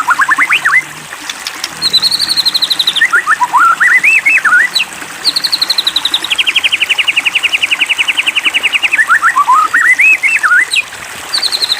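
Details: White-rumped shama provoked to sing: rising whistles, long evenly repeated high trills lasting several seconds, and wavering looping phrases that swoop up and down.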